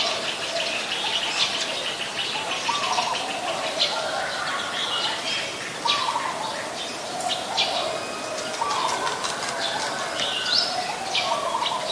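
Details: Several Eurasian tree sparrows (Passer montanus) in Ubon Ratchathani, Thailand, on 10 May 2020 chirp continuously in bright, short, overlapping notes. A few lower chirps stand out every few seconds against steady outdoor noise.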